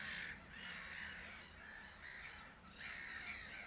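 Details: Pied avocets at Uitkerkse Polder, Belgium, in April 2010: a series of about five ringing, slightly harsh yelping calls with strong overtones, uneven in spacing, over a soft outdoor background.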